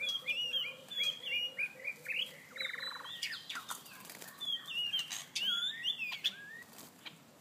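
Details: White-rumped shama during a mating chase, singing varied whistled phrases that slide up and down, with a low buzzy repeated note in the first three seconds and frequent sharp clicks and wing flutters.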